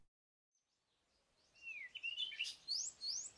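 A Cape Robin-Chat sings a quick run of sweet, high whistled phrases, some sliding upward, over soft background hiss.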